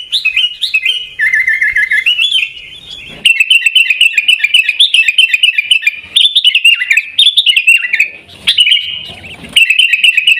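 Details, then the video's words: A sooty-headed bulbul in Pidie, Aceh, Indonesia, sings 'Garuda' style: a long, steady flow of chattering, whistled notes with some lower buzzy stretches and brief lulls. "Gaya Garuda Burung Kutilang"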